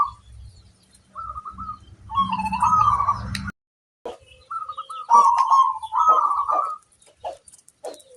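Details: Local zebra dove singing energetically to lure other zebra doves into responding; repeated burbling, rolling coo phrases, first over low rumbling handling noise, then clearer after a brief silence, with scattered high bird chirps.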